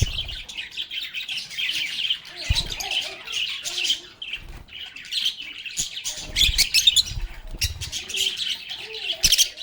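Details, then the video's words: Lovebirds singing, playing and talking together: a dense, continuous chorus of high chirps and squawky notes from many birds, with soft low thumps now and then. "Lovebirds agapornis sounds"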